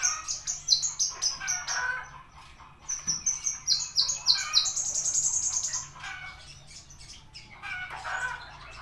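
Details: Singing Javan bushlark gives a busy stream of high, stepped notes and clipped chirps, then a sustained buzzy high trill, followed by softer scattered chirps.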